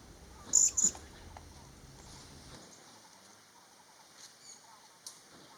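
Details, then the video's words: Vernal hanging parrot in Thailand during pairing and nesting, female incubating while the male brings food; birders liken its call to the Thai words for forty. Two sharp, very high thin notes in quick succession, then faint forest background and one brief later chip. "นกหกเล็กปากแดงและเสียงร้อง Vernal Hanging parrot Sound"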